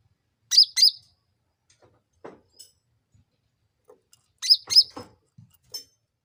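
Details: Sooty-headed bulbul lure calls for prompting a quick answer: a pair of sharp, high, downward-flicking chirps, scattered soft rustles and ticks, then another pair of chirps and a thin faint note.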